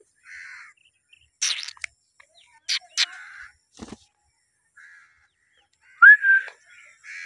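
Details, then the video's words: A blue Indian ringneck parrot (rose-ringed parakeet) gives harsh, scratchy squawks with short mid-pitched chatter between them, then ends on a bright rising whistle that levels off. "blue ringneck parrot talking voice"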